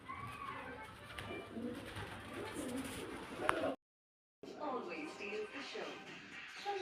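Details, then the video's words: Pet green ring-necked parrot mimics human speech, repeating "mummy" in short voice-like phrases with a brief silent break midway and faint room noise behind. "Mummy Bolne Wala Tota || Batuni Tota Mitthu || Talking Parrot"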